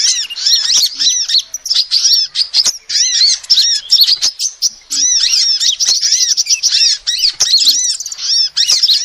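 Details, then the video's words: Female sunbird calls, recorded for use as a lure: dense, rapid high twittering of arched, slurred chirps, nearly continuous across the clip, broken by a short gap just after the middle. "SUARA ASLI KOLIBRI BETINA"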